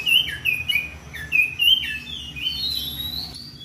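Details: Oriental magpie-robin in ngeplong style, calling out to a rival: a quick run of clear, downslurred whistles repeated about every half second, ending in a higher, drawn-out rising whistle, over a faint low hum.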